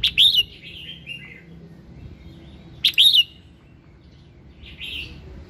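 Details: Red-whiskered bulbul singing in the morning, meant to prompt singing: two loud, quick warbled whistle phrases three seconds apart, trailing into softer descending notes, then a faint buzzy note, over a low hum.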